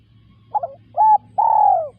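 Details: Spotted dove call in close view: a fluttering double note, a steady short coo, then a long coo gently sinking in pitch, over a faint low hum.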